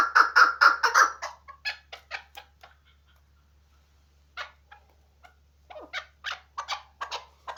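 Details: Hunting chukar partridge giving a burst of loud clucks, then scattered quieter 'chuk' notes, a pause of near silence, and a renewed string of clucking calls.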